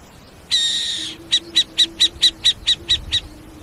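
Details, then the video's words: Owl giving one harsh, hissing screech of about half a second, then a quick run of nine short, clipped high notes at a steady pace. A faint low steady tone hums underneath throughout. "SOM DE CORUJAS"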